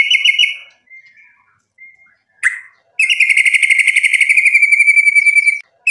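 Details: White-rumped shama in full voice as a provoking lure: a brief high phrase, soft scattered notes, a sharp call, then a fast even rattling trill at one pitch for nearly three seconds.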